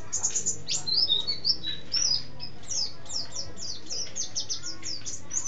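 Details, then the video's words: Ngeroll-style song of a Mountain white-eye, a bird trained with canary and sparrow imitations: rapid, very high, thin chirps and downslurred whistles tumbling in dense bursts with hardly a pause. "Pleci Gacor Ngeroll"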